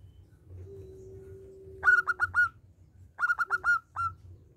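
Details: Local zebra dove singing, used as a lure to make other doves sing: a long low steady note, then bursts of four or five quick, clear mid-pitched cooing notes, repeated twice, over a faint low hum.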